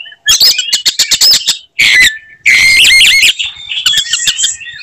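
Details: Oriental magpie-robin in fighting mood, singing to provoke other magpie-robins: loud bursts of sharp clicks and whistled notes, a harsh rattling phrase, then more rapid ticking and high whistles.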